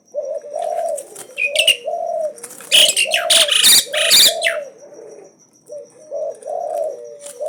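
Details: Bold Asian pied starling challenging nonstop, mixing low mellow warbles with a cluster of loud, harsh, crackling screeches in the middle of the phrase.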